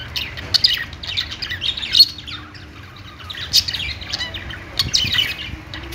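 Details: Budgerigars chattering, a busy mix of high warbled chirps and scratchy notes in bursts, louder around two and three and a half seconds, over a faint low hum.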